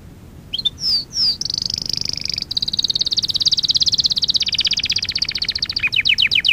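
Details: Canary song from a training lesson for young canaries: a few rising whistled notes, then a long, very fast high trill, then slower falling notes, all over a steady background hiss.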